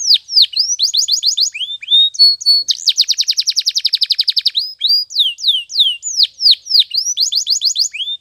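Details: Spanish Timbrado canary singing a morning training song: rapid falling sweeps and trills, a brief high whistle, then a long fast metallic roll of even pulses, followed by more sweeping and trilled phrases.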